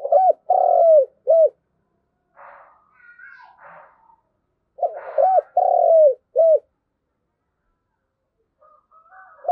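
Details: Decoy spotted dove calling to its flock, two full coo phrases of three parts each, short, long and falling, short, with faint softer murmurs between them and no other background sounds.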